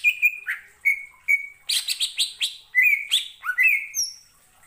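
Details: Greater green leafbird singing in answer to another bird's song: clear level whistles followed by bursts of harsh, high chattering notes and a final thin high whistle.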